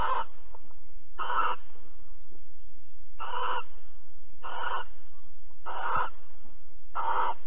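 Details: Barn owl pair at Alphen on 22 April 2020, evening, mating and cuddling: six short harsh hissing screeches roughly every 1.1 to 1.5 seconds, with a constant low hum underneath.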